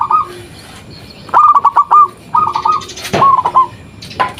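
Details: Zebra dove (local perkutut) lure call meant to make other doves reply: scattered short bursts of mellow, quickly repeated coos separated by pauses, with a thumping or rustling noise midway.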